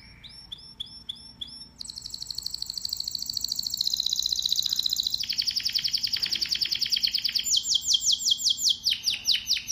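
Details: Domestic canary, a pet finch, singing: a few separate high chirps, then loud, rapid rolling trills that shift pitch and tempo every second or two in a continuous, bright, high-pitched performance with a faint low hum beneath.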